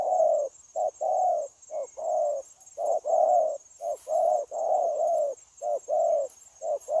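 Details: Spotted dove, a decoy bird used for trapping, cooing steadily and continuously in mellow, low hooted notes grouped in short bursts, with a constant high electronic whine in the background.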